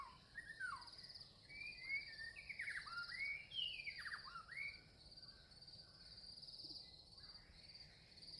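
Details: Red-vented bulbul, a small Indian bird, uttering a run of slurred, falling whistled chirps that fade after a few seconds, leaving a steady high insect drone and soft background noise.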